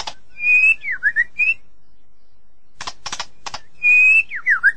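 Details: White-rumped shama: a drawn-out, level whistle that breaks into quick down-up slurs, a quiet pause, a burst of dry clicks, then the same whistled phrase again.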